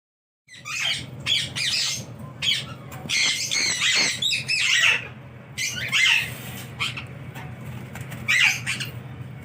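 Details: Pet sun conure kept at home, giving harsh, broadband squawks in repeated bursts of a second or less, some with rapid chattering notes, over a steady low hum.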